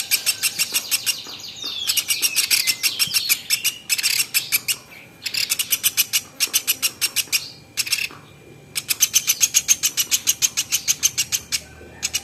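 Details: Velvet-fronted nuthatch, used as a tutor recording for training other songbirds, giving fast bursts of sharp, high ticking notes in runs separated by short pauses, with a few thin slurred whistles early on.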